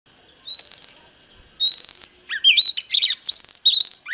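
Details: Oriental magpie-robin dueling with a wild bird: two clear, rising whistles, then a quick run of varied chirps, trills and slurred notes.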